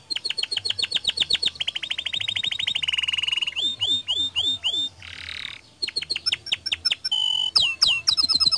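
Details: Canary song meant to get other canaries singing, with rolled trills gradually dropping in pitch, crisp swooping notes, a short harsh buzz and quick high whistles.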